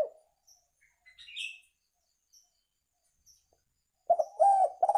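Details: Spotted dove call for luring birds. Mostly quiet, with faint high chirps and a brief chirp burst, until a closing run of throaty coos in quick succession near the end.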